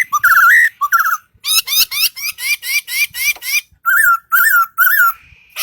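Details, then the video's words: A singing bird: clear whistled phrases mixed with a fast run of sharp chipping notes, then more rising and falling whistles and a thin steady tone at the end. "Singing bird"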